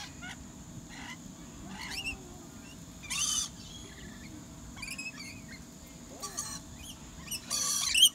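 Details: Several rainbow lorikeets at the Australian Reptile Park, Australia, let out short, grating screeches and squawks at irregular intervals, some brief chattering notes between them, over a faint constant hum.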